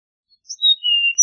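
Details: Part of an Eastern meadowlark song: a brief high note, then two long clear whistles, each pitched lower than the one before, in silence.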